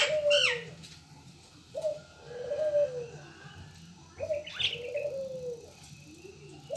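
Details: Local collared dove repeating a low, mellow coo in drawn-out phrases about every two seconds, with a faint chirp from another bird near the start and quiet outdoor background.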